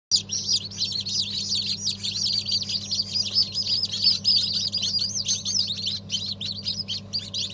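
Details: Newly hatched chicks of Habeş, Sultan, İspenç and other chicken breeds, from a 1 December 2022 hatch: a dense crowd of high, shrill peeps overlapping constantly, over a steady low mechanical hum.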